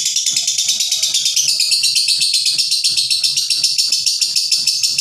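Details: A harsh lovebird ngekek that takes its time ending, likened to a diesel: rapid, regular high-pitched pulses form an unbroken grating trill, with soft low background clicks.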